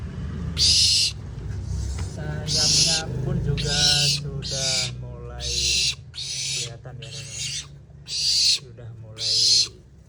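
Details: A captive young barn owl, taken from the forest and being tamed, gives harsh, rasping hisses at midday during its rest hours, about one every second, loud and high, with a man talking underneath.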